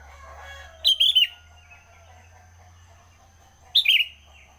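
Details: Sooty-headed bulbul chattering early in the morning, two loud phrases of two or three bright, slurred notes about three seconds apart, with a low background rumble.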